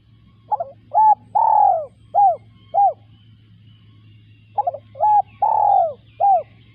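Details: Two cooing phrases from a spotted dove, about four seconds apart. Each opens with a stuttered note, then a short coo, a long swelling coo and two brief coos. The voice is mellow and hollow, with a steady low hum behind.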